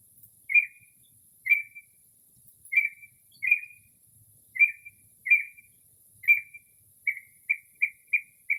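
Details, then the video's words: A northern mockingbird, recorded from a porch late at night in early spring, repeats a short whistled chirp with a sharp onset about once a second, then speeds into a quick run of five shorter chirps. "Northern Mockingbird Mimics Different Bird Calls"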